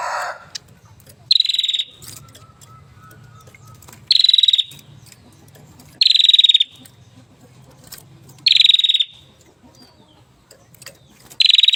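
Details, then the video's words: Caged hill prinia in full, vigorous song, delivering short high trills of rapid, slightly descending notes roughly every two to three seconds, with quiet gaps filled by a low mechanical hum. "prenjak gunung gacor parah"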